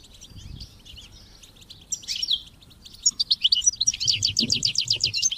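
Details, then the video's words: European goldfinch song meant to stimulate goldfinches and chicks to sing: soft scattered twitters, then a louder series of quick, evenly pulsed high chirps with a faint low murmur in the background. "Goldfinches and Chicks Chirps"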